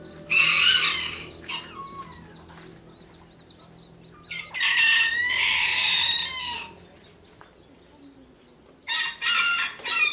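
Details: Roosters crowing one after another, loud and melodious, calls interlinking. Three long, harsh, loud crows come in bursts about four seconds apart, each rough and ragged. Faint small-bird chirps continue underneath.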